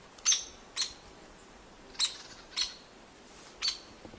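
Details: A Hairy Woodpecker in Kentucky gives its pik call, harsher than a Downy's: five sharp, harsh, high notes at uneven half-second to one-second intervals over a faint steady hiss.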